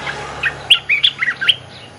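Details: Lure song of an Olive-winged bulbul in active voice: one brisk phrase of five or six liquid, slurred notes bouncing up and down, clear over low background hiss.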